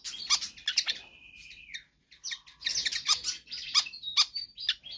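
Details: Pied fantail in energetic, persistent song, used to tutor or lure other birds: bursts of high squeaky chirps broken by two long level whistles, the second lower, before quick chirping resumes.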